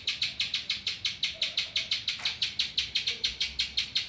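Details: Spiderhunter singing, its song said to be filled with ciblek (prinia) phrases: a fast, steady train of sharp, bright chip notes, about six per second, sustained without pause over faint low background hum.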